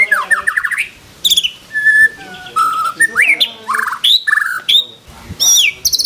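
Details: White-rumped shama delivering varied mimicked phrases: bubbling trills, clear level whistles at different pitches, and quick rising slurs separated by short pauses.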